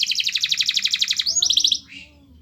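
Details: Canary singing a master song meant to make other canaries sing: fast rapid-fire trill of repeated high notes, a brief rising whistle, then a quicker trill that fades out.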